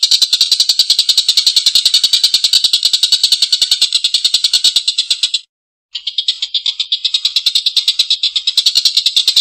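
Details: Long harsh laugh of a collared kingfisher: a dense rattle of rough notes roughly three per second. It breaks off for half a second of silence midway, then resumes just as rapidly.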